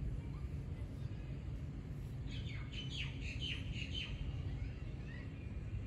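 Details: A common myna in Dubai, U.A.E., gives a quick run of five or six loud, down-slurred whistles over about two seconds, against a steady low rumble of traffic or wind.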